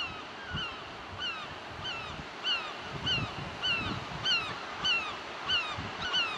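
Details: Gulls give harsh, nasal squealing cries, about one every half-second to second, over a low rumble of surf and waves on a wide beach below white cliffs in France, 2007.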